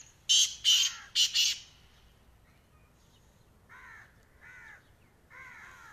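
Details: Black francolin uttering a quick string of four harsh, rasping notes in two pairs. Afterwards a separate bird gives several quieter crow-like nasal caws.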